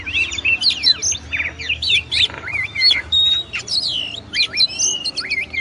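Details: Oriental magpie-robin (kacer) master song, a dense run of sharp down-slurred whistles, chips and trills delivered almost without pause, some notes held briefly as clear whistles.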